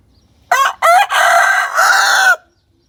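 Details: A chicken answers a played hen sound with a loud crow: two clipped opening syllables followed by one drawn-out raspy held note ending abruptly, faint low rumble behind.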